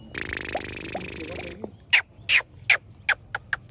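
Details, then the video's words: Black francolin (kala teetar), described as in full lively mood: a broad, buzzy grating note lasting about one and a half seconds, followed by a run of sharp, harsh clicking notes roughly two or three per second. "کالا تیتر فل مستی اور زبردست آواز 🐦 | Black Francolin Full Masti & Sound"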